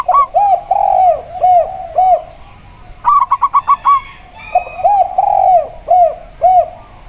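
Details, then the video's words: A local zebra dove sings together with a spotted dove, in a recording meant to prompt caged doves to sing. Rounded coos roll in series, broken by a tight run of about six rapid, clipped notes. "Perkutut Lokal Suara Plong"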